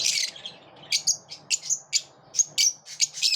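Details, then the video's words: Morning chirping from lovebirds, a loud harsh opening note then short high chirps spaced roughly every half second, some with squeaky whistled tails. "Love birds chirp beautifully in the morning"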